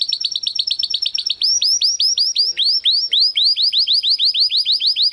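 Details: Belgian canary singing a loud, rapid song: a fast trill of short notes, then a long run of repeated upward-sweeping whistled syllables about five per second, bright and ringing.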